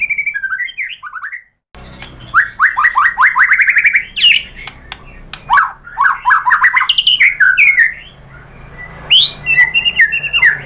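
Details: White-rumped shama lure song used to make other shamas show off their repertoire. Dense bursts of rising slurred whistles and quick chirps come in varied phrases with brief pauses.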